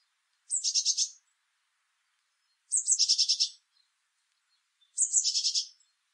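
A Eurasian blue tit repeats a short high phrase three times, about every two seconds: a thin opening note and then a quick run of six buzzy trilled notes. The background is quiet.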